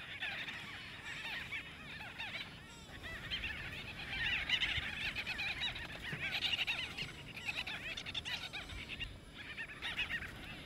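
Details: Several white-fronted bee-eaters squabble over nesting space in Kruger National Park, South Africa. Continuous overlapping nasal chirps and squeaky twitters pour out at about four per second, swelling and fading in waves.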